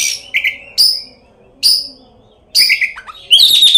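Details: Oriental magpie-robin lure song meant to provoke other magpie-robins into song. Sharp high notes roughly once a second, then a sudden burst of fast chatter.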